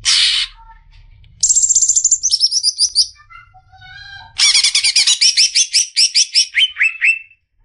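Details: Tutor recording of a champion-contender greater green leafbird: a brief harsh note, then chattering, rapidly repeated high phrases that step down in pitch, followed by a long series of bright, clipped whistles.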